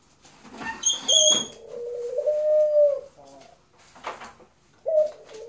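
A dove gives a long, smooth, low hooting coo lasting about two seconds, then a short clipped note, with brief bursts of noise, possibly laughter, in between.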